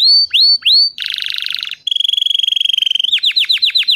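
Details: Canary song opening with upward-curving whistled notes, then a harsh buzzy trill, a smooth rapid steady roll, and a quick run of dipping, swooping notes. The recording is clean and quiet.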